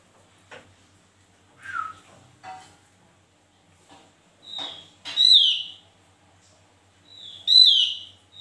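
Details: Javan white-eye singing in a lively, full-voiced way: loud whistled notes that slur downward, delivered in irregular bursts about every two seconds, with softer chips and clicks between them.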